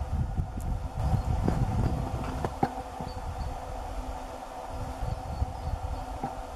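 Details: Low, rumbling engine-like noise with scattered clicks and knocks, and no clear animal voice.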